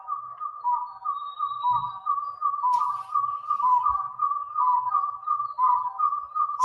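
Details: A pair of Red-breasted Partridges in Borneo's Crocker Range, often heard but hard to see, duetting: mellow whistled notes, overlapping and repeated about once a second, steady and interwoven, with faint room noise.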